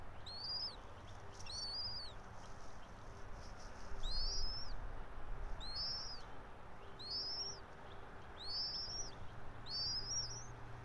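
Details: Nesting bald eagle of a resident pair, pine-top nest about 90 feet high, Johnson City, Tennessee, 06:28 on 04.03.2024; a run of six high, thin, rising squeals, each ending in a quick downward hook, against a low rumble.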